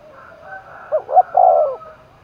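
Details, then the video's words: Spotted dove from Đồng Nai, Vietnam, roused to compete, delivering one phrase. Quiet lead-in coos give way to two short notes and a sustained low coo. Faint cooing trails after it. "cu gáy thúc đấu vang cả núi rừng đồng nai, cu gay kich boi nhanh noi gù"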